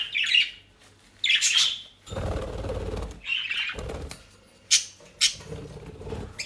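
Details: Pet budgerigars in the Den Haag region, South Holland, Netherlands, eating dry leaves and grass bought from a bird shop; short bursts of high chirping alternate with loud rustling and crunching of dry leaves.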